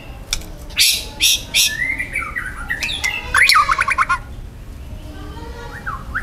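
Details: Harsh, loud song bursts from a wild young white-rumped shama: scratchy squawks, sliding whistles and a quick series of repeated chattering notes, then quieter whistles.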